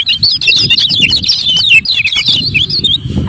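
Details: Captive lemon-bellied white-eye giving the "ciak ciak" calls meant to rouse silent birds and challenge a rival: a dense, continuous jumble of quick high twittering chirps, with low background noise underneath.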